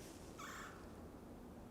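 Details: A single short, rolling churr from a Red-bellied Woodpecker, about a third of a second long, in quiet woods in Canada on 7 March 2023 after a late-winter snowfall, with several woodpeckers calling actively.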